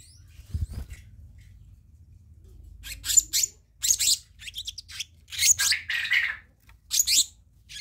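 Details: Black-naped monarch, used as a lure and training recording: separated bursts of rasping, high buzzy notes, roughly one per second, over a low steady background hum.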